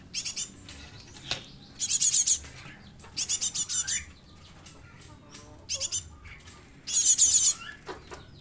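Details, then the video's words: Java sparrow chick kept as a lure bird, giving bursts of five to seven rapid high chips every second or so. Faint lower single notes fill the gaps over a low steady background hum. "Glatik anak,an pancingan"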